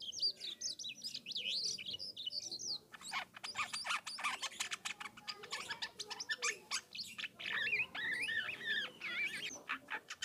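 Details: Philippine Asian glossy starling in full voice, played to draw other starlings into replying; wavering whistled phrases give way to dense bursts of sharp clicking chips, then more warbling whistles.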